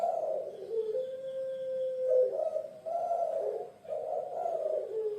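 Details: Puter pelung dove, typical of Java in Indonesia, opening with a long even coo, then several deeper pulsing coo phrases in quick succession.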